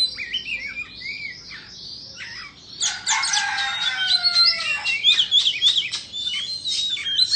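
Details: Softer whistled phrases from an Indonesian Oriental magpie-robin in its singing dance, then a rooster crow with falling tones beneath a burst of sharp, rapid chirps.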